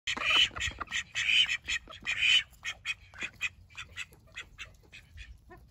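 A call duck gives three loud, harsh, nasal quacks about a second apart, then a run of softer, quicker chattering notes.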